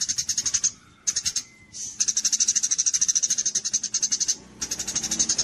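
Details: Gereja cililin kapas tembak sparrow used as a master for contest songbirds: sharp high chirps delivered in fast strings with pauses, a thin faint whistle audible during one break.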